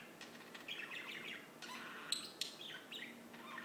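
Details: Singing birds deliver a run of rapid, warbling high notes that rise and fall. The phrases overlap and run almost continuously, punctuated by a couple of sharp clicking chirps.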